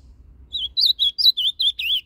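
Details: An ultramarine grosbeak sings a quick, clear run of about seven high, slurred whistled notes, each swooping up and down, in a northern-style song used to rouse other grosbeaks.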